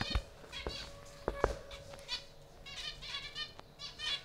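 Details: In a breeding aviary, thumps and knocks open the recording, then zebra finches give bursts of short nasal beeping calls from several birds, with a faint steady hum beneath.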